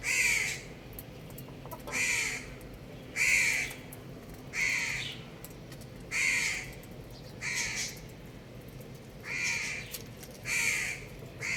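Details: Little chicken chicks peeping: clear, high, downward-sliding peeps repeated about every one to one and a half seconds at a steady pace, over a constant background hiss.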